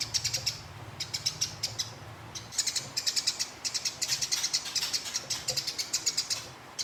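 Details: Fighting sparrow kept for competition, singing rolling bursts of high clipped chirps, a short run, a pause, then a long rapid continuous stream, with a low hum beneath.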